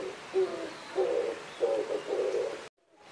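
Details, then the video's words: Oriental turtle dove while mating, a few low husky coos, one short note then longer rasping ones, ending abruptly in silence. "金背鳩(山斑鳩) - 交配/Oriental Turtle Dove - Mating"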